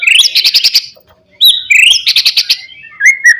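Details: White-rumped shama singing a Pastol-style rival-provoking song: dense buzzy trills and stuttering rattles, a falling whistle between them, ending with short lower warbled notes.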